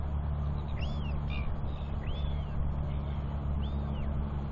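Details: Royal albatross chick calling as its father visits to feed and preen it, with a second chick nearby, 9 June 2021; three thin arched whistles spaced about a second apart against a constant low roar.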